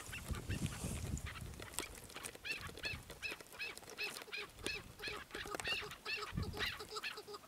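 Chukar partridge giving harsh, clucking chuck notes repeated rapidly, about three per second, over low rumbling background noise.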